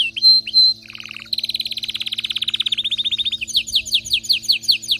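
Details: Excited canary in full song: a few clear whistles, a brief buzzy phrase, then a long rapid trill of evenly spaced notes, shifting into slower descending sweeps repeated about twice a second.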